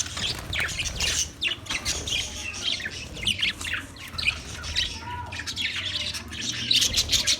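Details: Budgerigar song from 14 March 2024: continuous busy chatter of scratchy chirps, clicks and short squawks across the whole stretch, with a faint low hum underneath.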